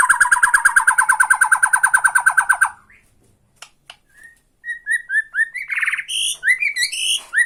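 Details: White-rumped shama of Borneo in tretekan provoking another shama: a fast steady rattling trill lasting nearly three seconds, a pause, then rising whistled notes and varied chattering phrases.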